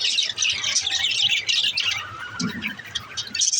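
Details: Budgerigars give loud, scratchy squawks and fast chirping warbles in a dense burst that thins slightly toward the end, with a short low knock near the middle.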